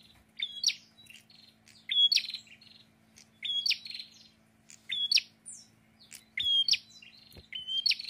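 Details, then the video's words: Prinia repeating its song: a short flat whistle jumping into a buzzy chattering burst, about six phrases irregularly spaced, with a couple of soft knocks and a low steady hum. "PRENJAK GACOR"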